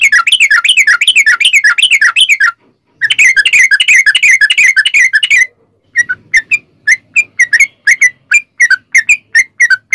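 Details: Long rambling sooty-headed bulbul song meant to provoke other bulbuls to sing: rapid warbling wavering phrases, a brief gap, more warbling, then a string of short separate bright notes.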